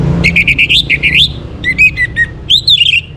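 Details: Orange-headed thrush in morning song, meant to bring birds into breeding condition: a rapid run of varied whistled notes, some warbling up and down, some clipped and stuttered, delivered with barely a pause.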